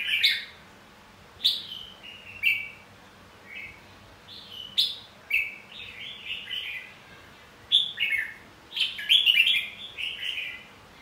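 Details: Red-whiskered bulbul, white-cheeked type, giving fighting song used to stimulate other bulbuls to sing; short warbled whistled phrases, each dropping in pitch, repeated roughly every one to two seconds, louder bursts near the end, quiet background.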